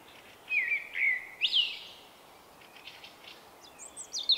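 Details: Common blackbird, a wary male with a one-of-a-kind song, late March 2024: three clear whistles, the last sweeping upward, then a quiet gap before faint, high, squeaky notes.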